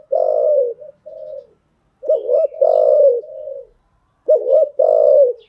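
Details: Cooing of a spotted dove used for training newly caught birds. Three phrases, each a pair of short rising notes leading into a deep, long coo, are separated by silent gaps of about a second.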